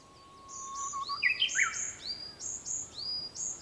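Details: At sunrise on 4 May 2021, a Japanese bush warbler gives a low sustained whistle that leads into an abrupt, tumbling flourish, while other small birds chirp high, repeated slurred notes around it.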